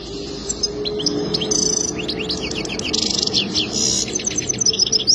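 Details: Goldfinch singing a lively, tinkling twitter of quick rising and falling notes with brief buzzy bursts, running almost without pause over a faint background hum.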